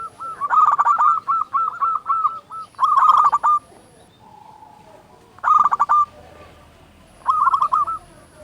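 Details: Local zebra dove with a big voice singing as a lure to make doves sing. A long opening sequence of quick staccato coos, then shorter dense bursts spaced by pauses, with a faint low hum between.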